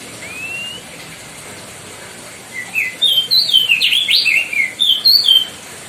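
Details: White-bellied bushchat, a Lesser Sunda species, singing loudly as a tutor recording for other cage birds: one thin rising whistle, a pause, then a rapid run of bright, sharply slurred whistled notes and twitters lasting about three seconds, over a steady faint hiss.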